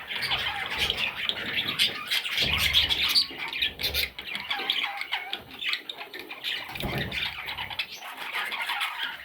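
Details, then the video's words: Little parrot chicks give fast, irregular raspy squawks, many calls a second, loudest early on and then easing into softer overlapping chatter with faint low bumps. "Baby Parrots – Sweet Little Chicks!"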